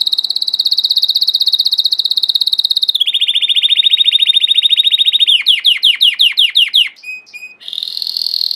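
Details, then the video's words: Domestic Belgian canary song: long, rapid, even trills held for several seconds, dropping slightly in pitch, followed by a run of quick downward-sweeping notes and a brief pause before another buzzy trill begins. "COMO FAZER SEU CANARIO CANTAR MUITO 20 MINUTOS DE CANTO"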